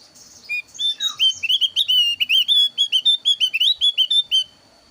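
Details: Javan grey-throated white-eye, thin-eyebrow form, singing a varied, lively lure song used to draw in wild birds and tutor caged ones: a fast string of bright, rising whistled notes, some slurred downward, over a steady high electronic tone.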